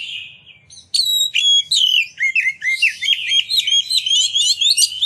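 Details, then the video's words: Chatty Oriental magpie-robin pouring out song to spur other magpie-robins to join in and spread their tails; after a quiet start, dense, fast whistled trills and warbles run on almost without pause. "Pancingan Kacer Gacor Ngeplong Nembak! Buat Kacer Lain Ikut Buka Ekor Keluar Isian"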